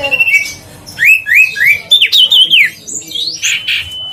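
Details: Huyt co bird, recorded as a lure to make idle birds sing: a series of rising whistled notes, then a wavering, warbled phrase and a high thin whistle, with a steady faint tone behind.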